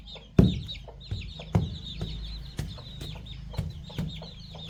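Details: Baby chicks and young chickens on a farm pecking at fresh termites: a steady stream of high, thin falling peeps from several chicks, broken by sharp pecking knocks roughly once a second.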